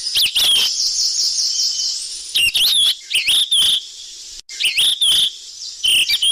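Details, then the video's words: Golden flycatcher lure calls in rapid, busy bursts: bright whistled chirps and wavering notes, often clipped and crackly, repeating closely over high hiss. "Suara pikat burung sikatan emas ribut"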